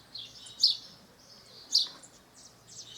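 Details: House sparrow in nature in Brazil giving two short, bright chirps about a second apart, each sharp and high, over a soft, steady hiss of other faint high bird sounds.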